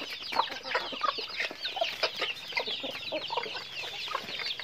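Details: Many chickens calling during daily activity, with rapid overlapping high cheeps and short downward chirps plus some louder clucks spaced irregularly.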